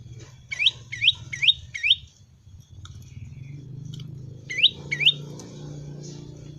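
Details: Prinia giving its typical "ceng" song: four sharp, hooked high chirps in quick succession, then a pause with low background hum, then two more of the same chirps.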